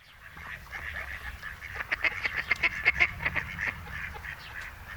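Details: Mallards (Anas platyrhynchos) in breeding season, two males courting a female at the Malecón de San Lázaro, Noia, Spain, give a busy run of short, nasal, raspy quacks and chatter, rising and falling in loudness, over a low rumble.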